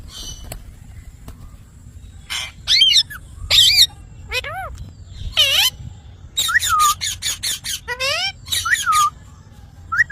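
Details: Parrot with a mix of calls: clear rising and falling whistled notes and curved squeals, several harsh squawks, then a rapid series of short repeated notes toward the end, over quiet background.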